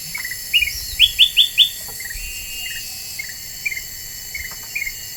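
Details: Black-winged bulbul singing a lure song: four loud, quick upslurred chirps, then softer, spaced twittering notes over faint background hiss.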